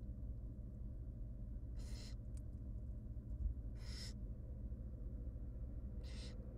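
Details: Three breathy screeching hisses at roughly two-second intervals from tiny wild barn owl chicks begging as their mother brings food to the nest box, three nestlings present, over constant low hum.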